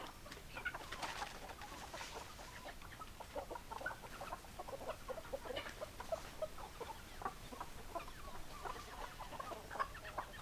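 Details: A flock of hens and roosters clucking continuously: many short, choppy notes from several birds at once, forming a busy, chattering murmur with occasional louder, sharper clucks, over a faint low background hum.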